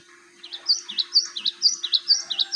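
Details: Song of a Java sparrow, played as a lure for training other birds: a rapid run of bright, high swooping chirps, around a dozen in two seconds, above a constant low electrical hum.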